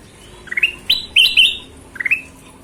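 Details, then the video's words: Golden-vented bulbul singing lively: short rising whistled phrases climbing from low to high notes, a bright ringing cluster in the middle and a final rising run, over soft background hiss. "Suara Kutilang Emas Gacor"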